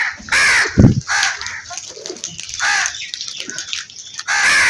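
A crow gives four harsh, nasal caws, each about half a second long and spaced roughly a second apart, with a low thump in between.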